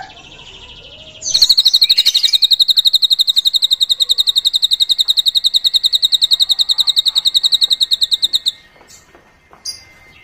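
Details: Drongo performing its cililin-style fill: after a brief softer call, a long, fast series of high, clipped chirps repeats steadily for about seven seconds, then breaks off into quiet.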